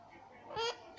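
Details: Indian ringneck parrot talking, imitating the word "Mummy": one short, clear, voiced syllable with a bright tone, while a person repeats the word nearby.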